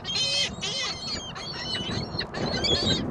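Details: Several gulls calling at a mall on a windy Christmas Day 2014, overlapping harsh squealing cries with lower mewing notes, wind roaring throughout.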